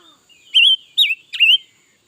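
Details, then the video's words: Red-billed leiothrix, 2021, singing all day: a quick run of three rich whistled phrases, wavering and slurred, the second bending down and the third swooping low before levelling off, with no other sounds. "Suab noog nrheeb tshiab quaj lam lug le || Ngũ sắc mới hót cả ngày luôn"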